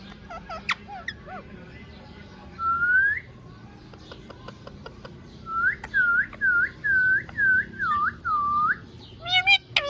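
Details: A pet rose-ringed (ringneck) parakeet, said to be talking, gives a burst of short chattering notes, a single rising whistle, then about eight quick, swooping whistles in a row, with faint clicks between.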